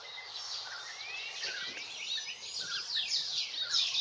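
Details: European bee-eater in Extremadura, Spain, where the birds arrive in spring: short slurred rising notes in the middle-high range, repeated irregularly over a dense, hissing chorus of other high chirps and background noise.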